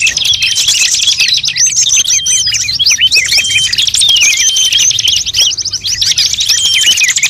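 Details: Bird luring audio aimed at all species: a thick chorus of high, fast chirping and trilling, with sliding whistles and flat whistled tones layered over it, unbroken throughout.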